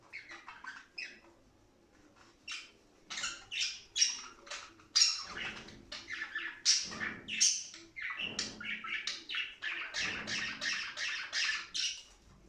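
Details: Budgerigars warbling in a dense, continuous stream of chirps, squawks and rapid chatter, bursts repeating without pause and rising and falling in loudness, used to stimulate other budgies to play and mate.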